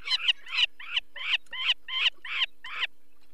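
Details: Peregrine falcon alarm at a nest in the Barycz Valley, 2 May 2023, during the removal of a chick with eye problems. About eight rasping, wavering notes come at a steady quick pace, roughly three per second.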